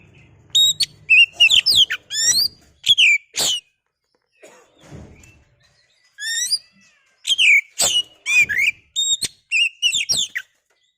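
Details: Oriental magpie-robin, a kept bird, singing varied phrases of rising whistles, twangy slurs and clicking chips in two long bouts separated by a brief soft gap, with occasional knocks.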